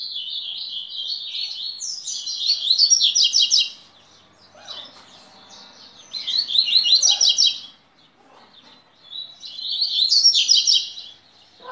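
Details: Double-collared seedeater (coleiro) singing three bursts of rapid, high, chattering twitters, each about two seconds long, with quieter pauses and faint background noise between phrases.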